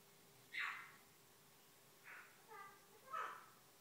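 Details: Morning self-talk from a female Eclectus parrot on waking: four distinct, clearer voiced syllables, one early and a quick cluster of three later, bright and slightly nasal, in a quiet room with a faint steady hum.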